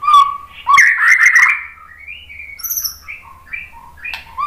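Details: White-rumped shama lure song meant to set other shamas singing: a clear whistle, then a loud, tumbling run of warbled notes, followed by varied short whistled phrases, some very high and thin. Quiet background.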